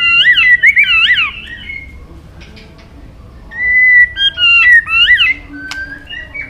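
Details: White-rumped shama training song with long phrases switching among forest voices: loud looping whistled notes swinging up and down, a pause, then steady and swooping whistles.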